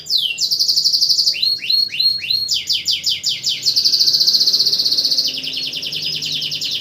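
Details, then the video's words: Night song of a canary used to tutor other songbirds: a dropping whistle, a buzzy roll, quick upswept notes repeated several times, then a long dense rattling trill. "kenari burung masteran saat malam hari pun tetep gacor"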